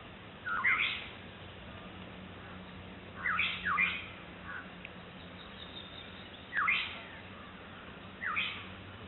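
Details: Black-headed Oriole calling to its chick, recorded April 2006, with a White-breasted Waterhen noted in the background; short, harsh, rising calls come singly or in pairs, five bursts over nine seconds, over a steady low hum.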